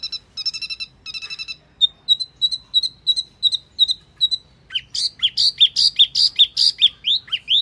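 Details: Wambi mini lure sound: buzzy multi-toned chips, then a steady run of even high piping notes, shifting into a fast, jumbled series of rising chirps.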